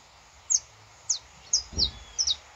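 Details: Saffron finch recorded live in nature: five sharp, high, downslurred notes spaced about half a second apart, some doubled, with a faint low rumble in the background.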